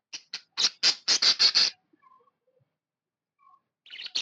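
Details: Pet budgerigar described as happy, giving a quick run of harsh, buzzy chirps in about eight bursts over under two seconds, then near silence with a few faint soft tones and a final short chirp burst.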